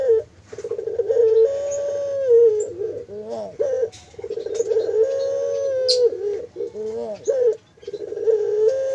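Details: Captive barbary dove at a bird farm giving 'mendengkur' cooing: long, steady, mid-pitched hums broken by quick wavering, rolling notes, repeated with short pauses, with overlapping coos that suggest more than one bird.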